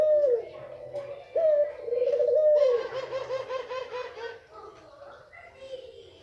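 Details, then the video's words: Female white Barbary dove calling to stir males: a falling note and a long, wavering coo, then a rapid series of pulsed, laughing notes that fade out gradually. "puter jantan pasti birahi dengar suara ini//puter putih betina"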